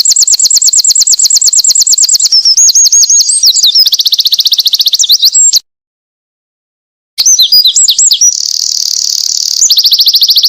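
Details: Winter wren singing vigorously, a recording meant for tutoring small cage birds: rapid high trills alternating with twittering warbles, a sudden break of silence mid-song, then renewed fast trilling and a buzzy section.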